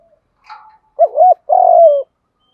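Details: Decoy spotted dove calling to lure wild doves: a faint breathy note, a double-humped coo, then a long, steady, slightly descending coo.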